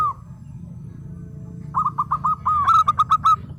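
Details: Local zebra dove in full song: after a soft opening coo, a run of short, clipped cooing notes at a steady mid pitch, quickening toward the end, over a low background rumble.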